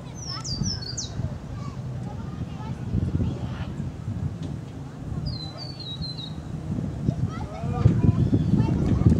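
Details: A male scarlet honeyeater (Myzomela sanguinolenta) at Tinaroo Falls, Atherton Tablelands, in April 2014 calls in two quick bursts of very high, tinkling notes, each a short falling cascade, over a steady low rumble and faint murmuring.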